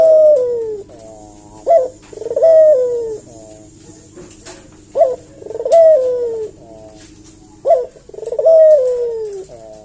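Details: Eurasian collared dove coo used as a lure to get a response. Three phrases come about every three seconds, each a quick sharp note followed by a sustained coo that slowly falls in pitch.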